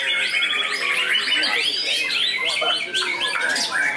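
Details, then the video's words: Contest white-rumped shama tested on the field, singing loud, rich fill-ins: clear whistled notes and rapid trills in steady, crowded succession across the whole stretch. "Murai Batu WARDANA Prospek Lapangan, Isian Mewah Super Istimewa"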